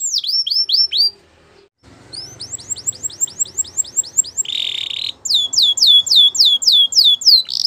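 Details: Canary training song: fast series of high, sweeping downslurred whistles repeated about three times a second, broken by a short pause and a brief buzzy rattle, then more rapid swept notes.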